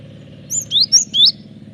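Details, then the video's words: Cinereous tit singing strongly, as a lure and training song: a single phrase of four high, clear whistled notes, each sliding up or down, set against a faint low hum. "Pancingan suara burung gelatik batu gacor ampuh masteran suara burung gelatik batu gacor"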